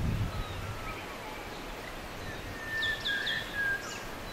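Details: Kerala laughingthrush (Trochalopteron fairbanki), a montane species of the Western Ghats hills in southern India, giving a short run of thin, high whistled notes, some slurred upward, over a steady wash of wind and leaf rustle.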